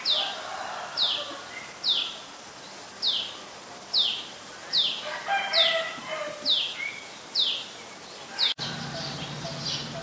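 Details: An adult common tailorbird from Ubon Ratchathani, Thailand, heard on 11 April 2022 giving a run of about nine piercing, falling notes spaced roughly a second apart, then fainter ones after a brief break, over quiet background bird chatter.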